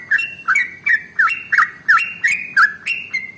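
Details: A trucukan, or sooty-headed bulbul, sings to draw song from other birds: spaced, clear whistled notes, each sliding upward and held briefly, about three per second.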